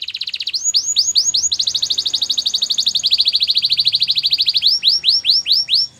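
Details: Canary, white, Belgian type, singing a continuous fast trill broken by repeated rising whistled sweeps at both start and end, each sweep about half a second apart; faint low background hum.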